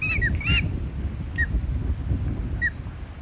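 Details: Osprey at the Hog Island nest on 21 June 2020, during a second fish delivery to the chick: two loud harsh calls with rich overtones open the clip, followed by short downslurred peeps over steady wind rumble.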